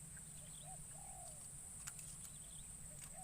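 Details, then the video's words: Decoy spotted dove cooing in forest to draw in wild doves, first time brought into the wild; one clear phrase of a short note and a long gently falling coo, with a steady shrill insect background. "Burung Terkukur Pikat"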